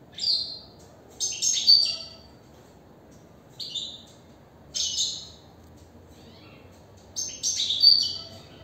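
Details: A caged European goldfinch sings repeated bursts of bright, high twittering and tinkling notes, some ringing and buzzy, in five clusters across the recording, with quiet gaps and faint low-pitched room hum beneath.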